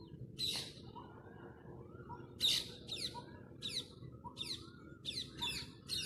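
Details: A flock of parrots chirping: sharp, high, downward-sweeping chirps in short bursts, about eight across six seconds, with softer low warbling notes between them over a faint steady hum.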